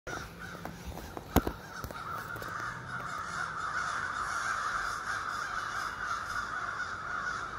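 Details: Ravens at morning in trees across a street, where over thirty live; a dense, continuous chorus of overlapping harsh calls from many birds, with a sharp knock early on.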